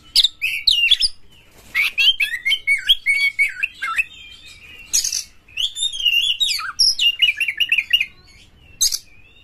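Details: Oriental magpie-robin singing a lure song meant to get other magpie-robins singing, with harsh material: rapid varied phrases mixing sweet whistled slides, buzzy rasps and sharp chips, in bursts with short pauses.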